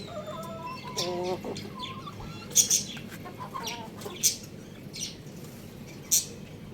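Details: A young rooster chirps while eating rice: short harmonic-rich calls in quick bursts, with sharp, very high, thin chirps from other small birds and a steady background hiss.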